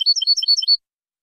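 European goldfinch song: a quick, bright, tinkling twitter of high notes alternating up and down, about a dozen in under a second, then silence.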